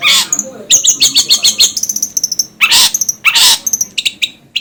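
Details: Long-tailed shrike singing as a training master for birds: a jumble of sharp high chirps and short whistled notes broken by loud harsh rasping bursts, varied and rapid with no fixed rhythm.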